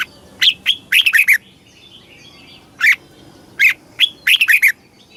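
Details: Thai Red-whiskered bulbul giving southern-style master song meant to rouse caged birds and teach chicks; crisp whistled notes, single calls, then a fast tumbling run of several rising-and-falling syllables.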